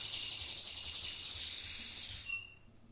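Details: Canary whose song is likened to a champion bird, giving a sustained high, rolling buzzy trill that fades into a few short pure whistles.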